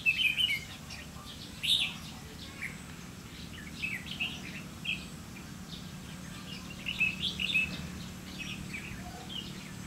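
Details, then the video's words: Red-whiskered bulbul recorded outdoors during bulbul trapping on 30 May 2016: short bursts of bright, chirpy warbled notes, clustered near the start, around the two-second mark and again near the end, over a steady low hum. "Bẫy chào mào lăng săng ché-cánh các kiểu"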